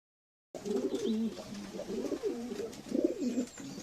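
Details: Domestic pigeons cooing: low, throaty rolling coos with rising and falling warbles, several phrases in quick succession after a brief silence, with faint clicks and rustling in the background.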